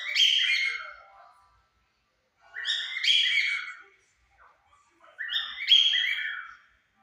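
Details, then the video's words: Two pet cockatiels, a white bird and a yellow bird, sing together in the late afternoon at 5 pm, giving three loud, raspy, layered phrases spaced about two and a half seconds apart. "casal de calopsitas cantando às 17hs"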